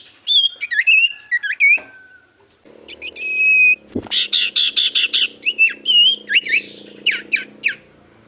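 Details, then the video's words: Javan white-eye song, used as a lure to make other birds sing: clear whistled notes rising and falling, followed by rapid bursts of dense, buzzy chirps and more short whistles, with a faint low hum underneath. "Pancingan Burung sirtu cipoh gacor"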